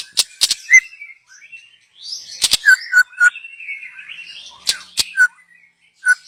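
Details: Young white-rumped shama from the wild forest, used as a lure; sharp clicks in pairs separated by soft warbling and short clear whistled notes.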